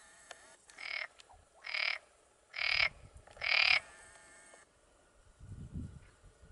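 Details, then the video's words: Black-bellied sandgrouse, a pair moving over waste ground in early July at El Lote, south of Villarrubia de los Ojos del Guadiana on the Llanura Manchega, Spain. Four harsh, rolling churring bursts come about once a second, followed by low rumbling noise. "ganga ortega 2"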